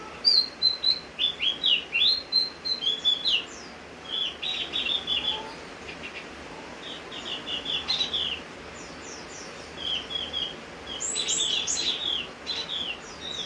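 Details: A Javan grey-throated white-eye sings energetically in the rain, opening with a fast series of sharp, evenly spaced chirps, then shifting to varied twittering phrases of high slurred and buzzy notes.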